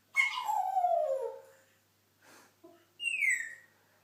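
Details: Pet parrot, said to talk and burp, gives a loud harmonic squawk sliding downward for over a second, a short soft breathy noise, then a sharp high squeal that rises and falls quickly; quiet room otherwise.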